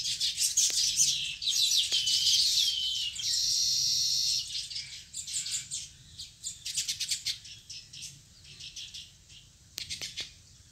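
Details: Sparrows at a nest give dense, high chirping and twittering, with a sustained buzzy chatter in the middle, then scattered sharp chirps.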